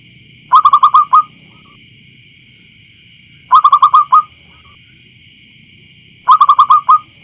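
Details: Wild zebra dove calling on a field, its voice clear and loud: three bursts of six rapid staccato coos, the last note slightly drawn out, repeating roughly every three seconds over a steady high hum.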